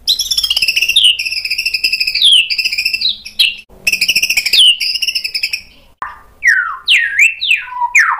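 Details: White-rumped shama singing vigorously, a song rich in sharp imitated phrases, used as a lure to make other birds answer: loud whistled phrases, buzzy rolling trills and rapid slurred notes, broken by short pauses, then falling and rising whistled sweeps.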